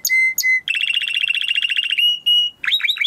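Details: Timbrado canary training song with two clear held whistles, then a long rolling trill of rapid repeated notes, a steady tone and a few sharp rising sweeps at the end.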